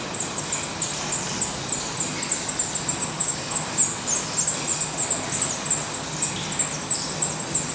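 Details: Black redstart at its nest in Portugal: thin, very high squeaky notes repeated quickly, about three each second, over a faint low background hum.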